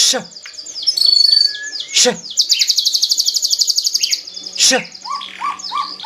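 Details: White-rumped shama, Medan type, singing intensely: buzzy rapid trills and harsh notes, then a short series of repeated rising whistles, over a steady high drone.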